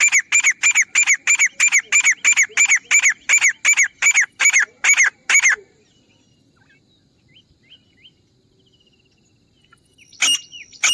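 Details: Grey francolin, used as a hunting lure call: a fast, even series of about fourteen loud, ringing, high repeated notes lasting five seconds, then near quiet with faint chirps, and a harsh burst near the end.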